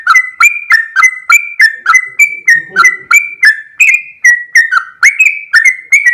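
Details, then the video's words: Sooty-headed bulbul singing vigorously in a long rapid 'ropel' style: bright whistled notes, each with a sharp click-like start and a downward slur, repeated about three times a second in a steady run, with a faint low murmur midway. "full suara Trucuk gacor ropel panjang"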